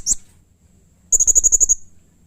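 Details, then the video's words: Caged blue-crowned hanging parrot in aggressive, excited calling: one piercing squeak, a pause, then a rapid burst of seven or eight shrill high notes. "Burung Serindit GACOR Nembak Emosi Mbeset Kasar || Bikin Serindit lain Emosi ikut Bunyi"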